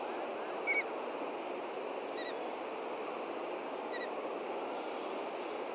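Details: Nesting ospreys in Hellgate Canyon, Montana, alarmed at night on June 2, 2014 by an intruding juvenile. Three brief, high, clipped chirps sound a second or two apart against constant background hiss.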